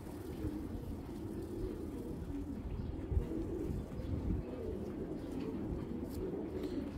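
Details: Domestic Panki pigeon of an old-breed line with a slight touch of the Beji line, its voice noted for strong vibration: a continuous deep, rumbling, throbbing coo fills the recording, low and dense, with outdoor background noise.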